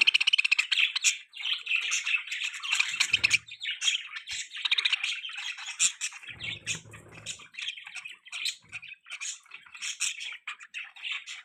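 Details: Young budgerigar sitting on a person's hand, chattering almost nonstop in rapid, high scratchy chirps and squeaky warbles, with a brief low rustle of movement partway through.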